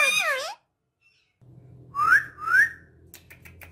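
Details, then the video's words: Pet talking parrot opens with a loud wavering harmonic call, falls silent, then gives two bright upslurred whistles over a low steady hum, ending with faint clicks. "My Amazing Talking Parrot"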